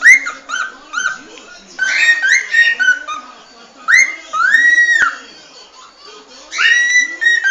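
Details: Cockatiel singing a run of clear whistles, with rising, arching and down-slurred notes in bursts separated by short pauses, plus a faint low murmur beneath.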